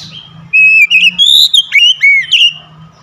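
An Oriental magpie-robin sings a rapid run of clear, varied whistles, with slurred rising and falling notes about two to four kilohertz, over a faint low hum.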